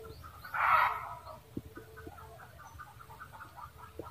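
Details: Junglefowl cackling: one loud, harsh, broadband squawk under a second long near the start, then only faint, scattered clucking notes over a low background rumble.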